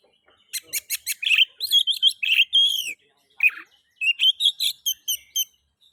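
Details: Oriental magpie-robin singing to stimulate other magpie-robins: rapid series of sharp clicking notes leading into loud descending whistles, a short pause, then a lively stream of varied chirps and whistled phrases.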